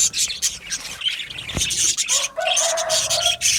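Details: Aviary colony of budgerigars: fast, high twittering chirps with a sharp click partway through, then a steady mid-pitched squeaky note runs beneath the chatter to the end.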